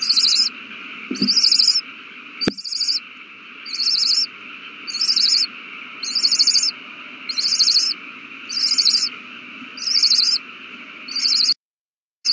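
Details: Owl chicks during a big feeding on March 27, 2020: harsh, hissing screeches repeated about once a second, ten even bursts, with a faint steady hum underneath and a sharp click near the start.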